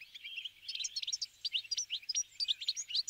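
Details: Brambling flock in winter, feeding on sunflower seeds. Continuous, lively chatter of many overlapping high chirps and twittering notes, with some sharper, slightly louder calls toward the end.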